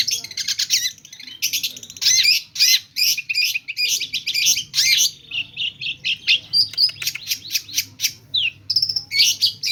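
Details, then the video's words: Long-tailed shrike (cendet) singing energetically, full of mimicked phrases. Strings of scratchy chatter give way to crisp, evenly spaced ticking notes and short clear whistles in the second half. "Cendet gacor ll pentet motor GP nembak full isian lasrol"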